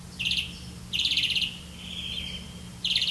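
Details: Red-vented bulbul catching crickets for its young: three loud, buzzy, grating bursts, each about a third of a second, with a softer drawn-out rasp between them.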